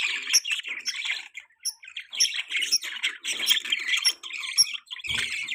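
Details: Mating budgerigar chirps: steady, rapid scratchy warbling, with sharp high squeaks and chattered phrases repeating roughly twice a second and a brief pause midway.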